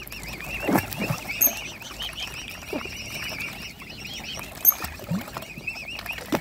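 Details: Hand-fed mute swan cygnets utter a continuous string of high, rising-and-falling whistled peeps, accompanied by rustling, pecking clicks and sharp taps.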